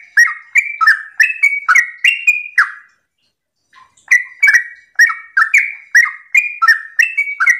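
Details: Morning song of a sooty-headed bulbul, meant to provoke other bulbuls into singing: a rapid chain of bubbly, slurred whistles, each with a sharp click, pausing about a second midway before resuming as fast as before.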